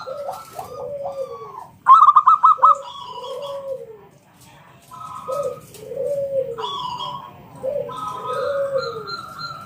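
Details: Local zebra dove singing ngalun kung bulat as a lure to get other doves calling: a short burst of rapid sharp notes, then several phrases of soft low arched coos.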